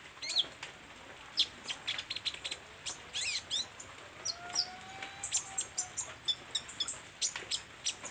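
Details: Olive-backed sunbird singing hard, with dense bursts of high, piercing chips and zigzag squeaks. A faint, low, drawn-out whistle runs beneath the song midway.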